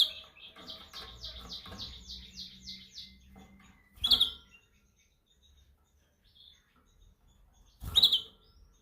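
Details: Canary during song training: a three-second run of rolling, repeated swooping whistles with a low buzz beneath, then near silence broken by two loud sharp clicks or taps.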